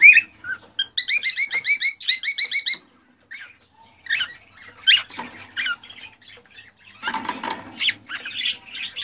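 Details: Male cockatiel singing excitedly to push a female toward mating and breeding; opens with a fast series of evenly repeated harmonic chirps, then scattered scratchy notes and a harsh noisy burst near the end.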